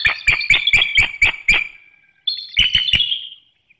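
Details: Nest webcam in Hanover, Pennsylvania catches a mated bald eagle pair calling to each other before dawn on 18 March 2019 while incubating eggs: a rapid run of six sharp, staccato piping notes, a trailing high whine, then a shorter burst of clipped notes.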